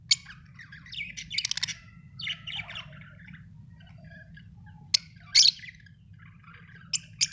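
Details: Lovebirds chirping: bursts of harsh, high squeaky chirps and rapid twittering, with sharp clicks near the five-second mark and at the end, over a low steady hum.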